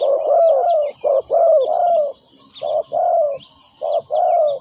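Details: Loud, throaty cooing from a decoy spotted dove used in ground trapping of wild doves; paired coos, a clipped note then a longer falling one, repeated closely, over constant insect hum.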